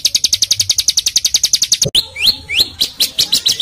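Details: Small songbird with varied, full-burst training song: a quick stream of high chirps for about two seconds, then a shift to separate upward-sweeping whistled notes mixed with sharp chips.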